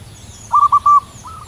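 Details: Wild local zebra dove singing high up on a cool early morning under white clouds: four short, clear cooing notes in a quick staccato burst, then a fainter trailing set of similar notes over a low background rumble.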